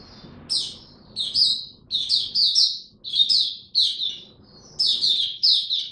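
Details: On 3 January 2022, a caged Oriental white-eye in ramped-up form sings short clusters of high, sharp chirps, spaced about half a second apart, over a low background hum.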